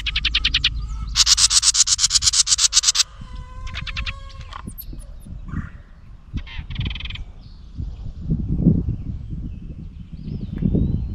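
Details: House wren defending its nest against a camera, giving a short rattled series, then a long pulsed harsh scold of about a dozen rapid beats, followed by clicking notes and softer chatter over low rustling.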